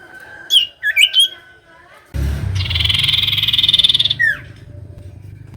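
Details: Common iora song used to make quiet birds answer: a few sharp chirps, then a long rough buzzing trill over loud low rumble, ending with a falling whistle.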